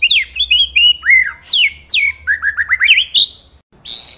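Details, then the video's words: White-rumped shama singing a rich run of varied whistles, sweeping slurs and quick rising notes, about a dozen phrases in three seconds, then a harsh burst. "Materi Mewah Murai Batu"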